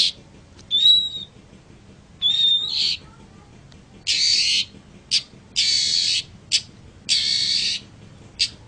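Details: Long-tailed shrike voice used to train other birds: two clear whistles followed by loud, harsh rasping bursts repeated at irregular intervals, with short scratchy notes in between.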